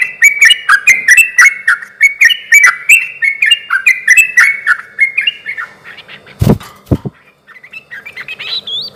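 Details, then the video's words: Sooty-headed bulbul singing as a lure to draw replies from other bulbuls: a fast stream of bubbly, up-and-down chirps for about five seconds, then two sharp knocks and a few scattered faint notes. "suara trucuk gacor ini ahlinya bikin pancingan trucuk yg macet akibat ombyokan pasti nyaut bunyi"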